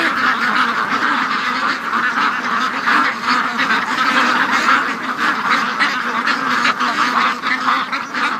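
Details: Many free-range ducks calling together during the morning rush on a Sunday, a steady wall of overlapping raspy quacks with no gaps, the whole flock noisy at once.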